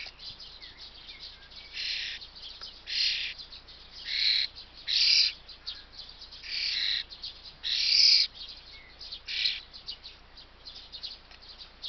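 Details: Young common starling calling for food on 21 May 2024, giving loud grating, noisy screeches about every second, interspersed with softer rasps and faint background hiss.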